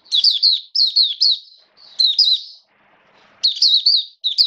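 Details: Oriental white-eye kept as a song bird during rainy weather, delivering bright high chirping phrases of rapid wavering notes, four bursts separated by brief silences and a soft rustling gap.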